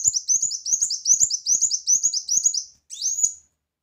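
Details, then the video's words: Brown-throated sunbird in vigorous song with loud 'tembakan' bursts: a fast chain of sharp, high, downslurred chirps at about two and a half per second, briefly pausing before a final rising, whistled note. "Kolibri Wulung Gacor Tembakan Keras"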